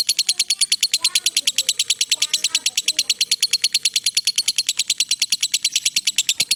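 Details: Lovebird giving a long ngekek trill, used as a master recording for training other birds: a fast, very regular high chatter of about three notes per second held without a break for the whole stretch.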